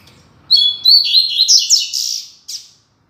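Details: {'caption': 'Tui Tui Zel Zel classic song of the Double-collared seedeater, used for training young birds: a two-second phrase of clear whistles turning into buzzy, warbled slurs. A single short chip follows the phrase.'}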